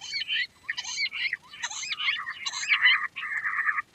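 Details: Queen quail calling: scratchy, chirping phrases in quick, uneven bursts, with short pauses and some rising and falling notes, repeated through the recording.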